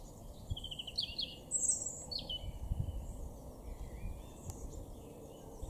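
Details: A European robin in a garden in Weener, East Frisia, northwest Germany, April 2024, sings thin, high, tumbling phrases with quick trills and a piercing top note over a steady low rumble.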